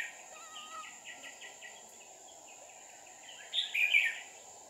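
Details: Red-whiskered bulbul, an old wild-caught decoy bird used for trapping, recorded 5 May 2019: soft rapid repeated chirps, then a louder burst of warbled whistled notes near the end, over a constant high insect whine.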